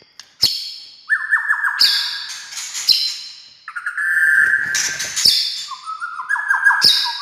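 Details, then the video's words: White-rumped shama singing to provoke other shamas into song: sharp clicks and high ticking notes mixed with sustained mid-pitched whistles, some steady and some gently rising, in phrases a second or two long. "SUARA kicau MURAI INI Buat semua jenis murai gacor,buat Murai DIAM Langsung NYAUT"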